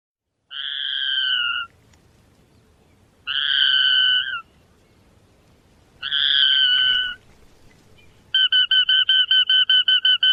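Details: Tiny rail of dense grasslands, rarely seen, ranging from Costa Rica to southern Brazil; three separate drawn-out buzzy notes, each slightly falling, followed by a rapid run of short repeated notes forming a quick trill.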